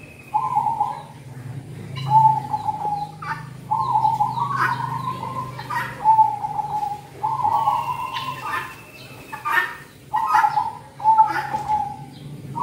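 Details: Zebra dove song recorded for luring birds during the cold season. Repeated rapid trilled cooing phrases, each about a second long, with short gaps between them. A thin high whistle from another bird and a low steady hum sit in the background.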